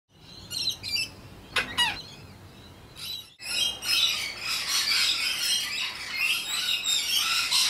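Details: Rainbow lorikeets, loud, sociable parrots of Australia: a few sharp chirps open, then after a short gap a dense, harsh chorus of overlapping high screeches builds and holds to the end.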